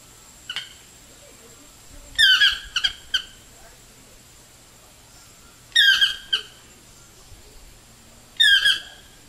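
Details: Toucan in a tree beside a house, calling in irregular bursts of harsh, nasal squawks, some doubled or tripled, spaced several seconds apart with quiet gaps between.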